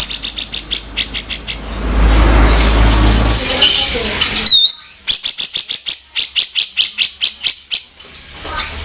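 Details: Grey-cheeked bulbul vocal tutor in a harsh 'kasaran' style: bursts of rapid rasping chatter notes, interrupted by a stretch of rushing noise and a sharp whistled slur, then more rapid grating series.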